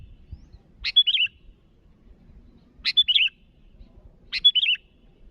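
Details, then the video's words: Sooty-headed bulbul, lively and vocal, calling to rivals. Three short bubbly phrases spaced about 1.5 to 2 seconds apart. Each is a sharp high note running into a quick warbled twitter. A faint low rumble sits underneath. "Suara burung Kutilang Gacor memanggil lawan"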